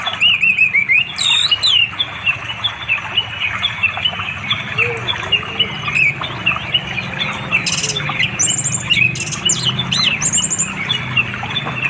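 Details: Orange-headed thrush in East Java forest beside a flowing river, calling a female to mate in the afternoon, Android recording; scattered whistled phrases and a few low notes, then bursts of very high chirps, over constant rushing water.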